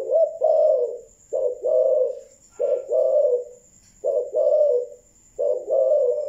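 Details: Malaysian spotted dove giving thúc gù coos: four deep paired phrases, each a short note then a longer throaty coo, about every 1.3 seconds, with a thin constant electronic whine.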